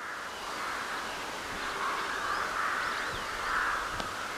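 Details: Crows calling on a spring night under a full moon in March 2021: a dense, continuous chorus of harsh overlapping caws, with louder bursts standing out near the middle and end, and no other clear sounds.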